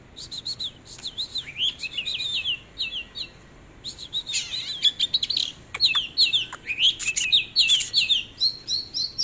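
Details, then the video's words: Displaying Oriental magpie-robin pouring out a long, varied song of high whistled warbles, slurred upward and downward notes and dense twittering bursts, punctuated by sharp clicks. "chòe than múa hót"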